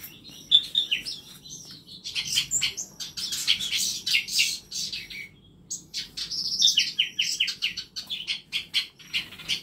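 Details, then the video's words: Several songbirds calling in a cramped home aviary of masteran birds, dense high warbling bursts alternating with brief pauses, twittery notes tumbling over each other. "KANDANG AVIARY ISI NYA BURUNG BURUNG MASTERAN"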